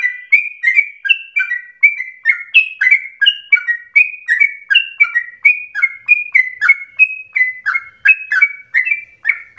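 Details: Sooty-headed bulbul in fast, insistent, fiery song, used to prompt other birds to sing and to tutor them. Rapid, unbroken string of short whistled notes, each sliding down then up, alternating slightly higher and lower pitches about three times a second.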